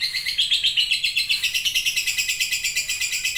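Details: Long chattering ('ngekek panjang') of a lovebird: an unbroken high rattle of harsh pulses, roughly four to five a second, steady and even throughout.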